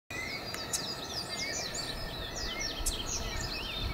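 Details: Double-collared seedeater (Sporophila caerulescens) singing at Vale do Quilombo, Gramado, Rio Grande do Sul, Brazil, 20 October 2017: a quick, varied jumble of high sweeping whistles and chirps over a steady low background rumble.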